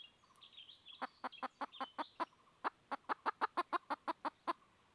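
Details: Red junglefowl hen seeking a rooster: a soft start builds into a rapid, fairly regular string of clucks, about three per second. Faint higher chirps of other birds and a low hum sit in the background.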